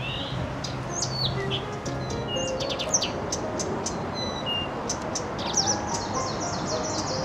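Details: A reed warbler sings from bushes in the Novosibirsk Dendropark, Siberia: a busy, chattering stream of high clicks, chirps and short whistles, with a steady low hum of background noise.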